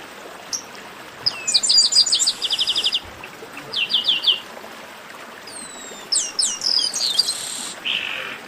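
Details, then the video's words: Chestnut-capped blackbird giving esquenta (warm-up) song: dense series of rapid repeated chirps, short whistled phrases, then downslurred whistles and a closing buzzy note. "Melhor Esquenta de Garibaldi"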